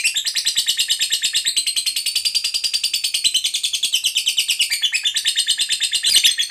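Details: Fighter lovebird in full song delivering its long 'ngekek panjang' trill: an unbroken, shrill, rapidly pulsed chatter of about ten notes a second, holding steady for over six seconds with a brief harsher burst near the end.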